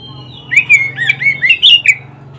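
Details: Recording of an oriental magpie-robin singing, made to train caged birds: quick sequence of sharp, sweet whistled notes with upward and downward slurs, about six loud elements in a burst, soft low hum underneath.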